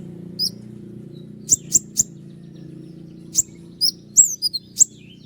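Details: Sharp 'tembakan' notes from a Common iora: short bursts of high piercing chips and down-slurred whistles with pauses between, set against a constant low hum.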